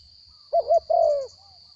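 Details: Captive wild-caught spotted dove with a small voice giving a single coo phrase: two short hooting notes, then a longer, slightly falling coo. A steady high electronic whine runs throughout.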